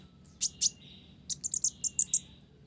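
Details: Olive-backed sunbird (konin blorok) in full song, its song filled with Java sparrow (gelatik) phrases: two sharp high chips, then a quick run of six bright, piercing notes over a steady thin tone.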